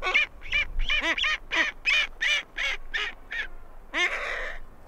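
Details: Great skua invading the territories of two neighbouring penguin pairs gives a quick run of loud, nasal, down-slurred yelping notes, about three per second, ending in a longer rasping, buzzy call.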